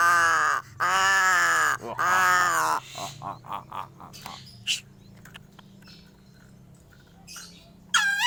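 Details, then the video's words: Crow making strange calls: three long, loud, hoarse caws of almost a second each, back to back, then a run of short clipped notes and a final quavering call; a person speaks just after. "SUARA ANEH Burung GAGAK"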